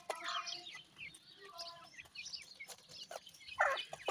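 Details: Chicks of grey francolin keep up soft twittering: short high slurred notes, some in quick clusters, faint background rustle, and a sudden louder squeaky call just after three and a half seconds.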